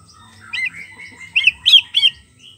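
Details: Brief phrase from a wild White-rumped shama of the forest, used to lure a silent shama into song: a soft whistle, then three loud, bright, ringing notes in quick succession.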